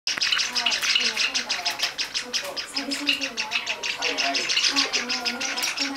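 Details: Java sparrow chicks, 19 and 21 days old, calling in the afternoon around 3 pm while being fed by an adult female; rapid, insistent high chirping and rasping notes, several per second, almost continuous throughout.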